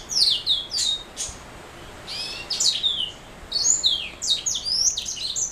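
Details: Black-throat mule, a canary hybrid, singing scattered bursts of high chirps and rattling trills with short silent gaps, ending in a dense twittering run.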